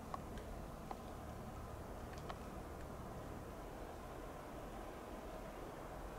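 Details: Steady low rumble like distant traffic, with a few faint ticks near the start and no animal voice.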